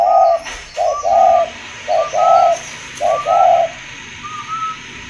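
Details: Spotted dove from a breeding facility giving low mellow coos, each short note followed by a longer drawn coo, the phrase repeated about once a second, with a faint higher overtone above each note.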